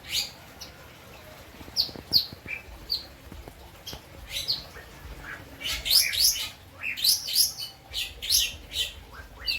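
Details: Caged lovebird in Indramayu, West Java, Indonesia, kept for song-bird contests, singing a stuffed style with cotton-shot and citblek phrases: bright high chirps and short sharp notes, scattered at first then in a quicker burst of rapid twittering.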